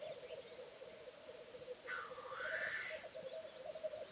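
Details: Male black grouse lekking on a bog: continuous distant bubbling, rolling coo runs on, with one loud hissing, rushing sneeze-like call in the middle.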